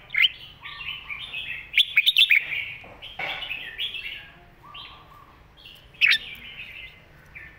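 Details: Red-whiskered bulbul singing a master song for young birds to copy: bright slurred whistles and warbles, a quick series of five punchy notes near the start, and another sharp note later.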